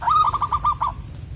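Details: Single zebra dove phrase from a bird prized for its penetrating "koong" voice, recorded during lime-stick trapping. A quick run of about seven clipped, evenly spaced coos is heard over a low hum.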